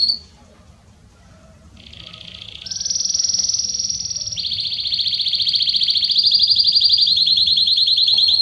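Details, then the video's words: Belgian canary song starting quietly, then rising into a buzzy trill that jumps higher, drops, and settles into a long loud sustained rolling trill. "Canário Belga Estourado esquente seu canário belga em 30 minutos"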